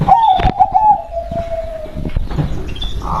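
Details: Zebra dove, the local perkutut called berkodam, delivers four quick bubbly coo notes. The notes slide into a long, smooth tone that drops slightly over a second, with clicks and a brief higher whistle after.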